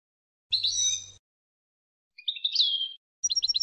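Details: Tunisian European goldfinch, Sfax-style song for training: a brief scratchy burst, a twittering whistled phrase sliding downward, then rapid high repeated notes.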